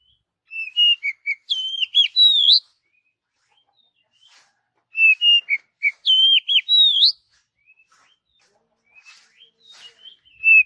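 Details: Oriental magpie-robin singing naturally in a forest: rich whistled phrases with rising and falling slurs and sharp upward sweeps, delivered in two bursts about four seconds apart, with faint softer notes afterwards.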